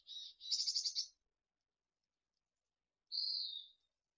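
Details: Mountain chickadee nestlings fledging at Truckee, June 2020, early morning: a short high note, then a buzzy, rasping burst of rapid pulses, a pause, and a single thin whistled note falling slightly at the end.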